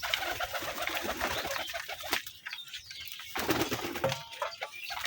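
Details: Hobby pigeons kept by a fancier, including Kaldom and Giribaz breeds and local desi birds, where eggs have just hatched; soft cooing runs under clattering, wing flaps and busy household noise through the clip.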